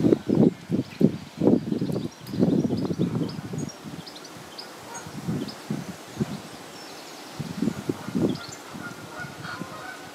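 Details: Two-month-old Egyptian goose goslings eating grass give low, hoarse honking calls in quick bursts, several a second at first, then sparser with pauses.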